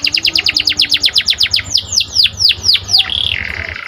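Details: Panda canary song, gacor, played to excite and train canaries: about fifteen quick descending whistled notes speeding into slower wide sweeps, ending on a short buzzy phrase.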